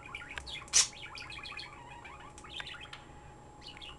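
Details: Chirping pet bird delivers a quick run of short descending twitter notes in a steady stream, broken by a loud hissy burst early on and a sharp click at the end; faint hum behind.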